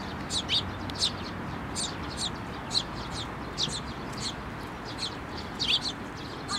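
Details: Eurasian tree sparrows and a chick flying to a hand for food at a Tenmangu shrine on 17 May 2024; short bright chirps repeated roughly every half second over a steady low background hum.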